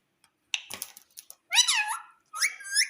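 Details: Pet Indian ringneck parrot indoors at home: a few soft clicks and scratchy noises, then two loud, bending screech calls that rise and fall in pitch.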